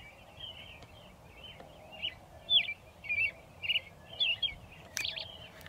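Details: American robin perched atop a pile of railroad ties beside a railroad in Shiloh, Illinois, singing near dusk on 6 April 2024: a steady series of short, warbled, whistled phrases about every half second, with a faint low background hum.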